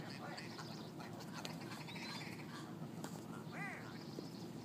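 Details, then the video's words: A big flock of ptarmigan bickering on a Yellowknife street, Northwest Territories; clicking chatter followed by a distinct arched, rising-then-falling nasal call near the end, over low steady rumble. "Squabbling ptarmigan"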